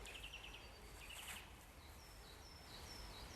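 A nuthatch gives two quick bursts of about five rapid piping notes, faint against steady woodland hiss, with thin high whistles from other birds.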